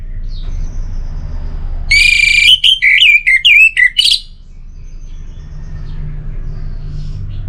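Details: Orange-headed thrush song for birds that have gone quiet: one phrase that opens harsh and buzzy, then turns into twisting whistled notes and a brief scratchy ending, with low hum behind.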